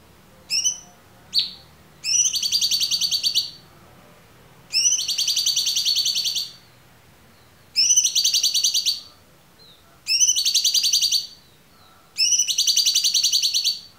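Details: Cucak cungkok song on a clear tutor recording used to train songbirds: a few sharp introductory notes, then long high buzzy rattling trills of one to two seconds, repeated every two to three seconds.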